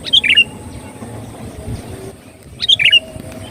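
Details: Lure recording of sooty-headed bulbul song for drawing in birds: two bright, bubbly phrases of four or five fast tumbling notes, roughly two and a half seconds apart, with soft low background noise.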